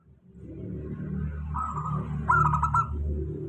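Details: Local zebra dove lure song, meant to stimulate doves that sing little: one pulsed, rolling coo phrase rising out of loud, steady low-pitched background noise.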